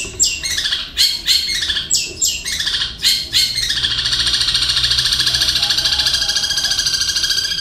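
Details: Long-tailed shrike kept in a cage, its song copying kingfisher, fighting sparrows and lovebird chatter; four loud harsh descending squawks about a second apart, then a continuous rapid high chattering trill to the end.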